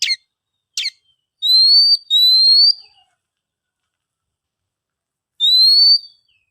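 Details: Oriental magpie-robin song for coaxing quiet birds to sing: two sharp chirps, then two long pure whistles rising gently, a long silence and one more drawn-out whistle.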